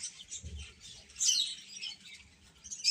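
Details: Chicks give high-pitched chirps, softer at first and then swelling into a louder burst of overlapping peeps, with a low muffled thump early on.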